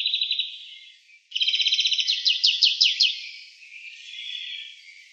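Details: European greenfinch song recorded in Wittlich in 2018, a fast even trill, a short break, then a louder rattling trill turning into looped twittering notes, ending in a softer wheezy tail.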